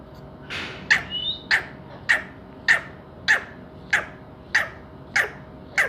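A grey francolin gives loud, harsh, ringing notes, repeated steadily about every half second, over a faint background hiss.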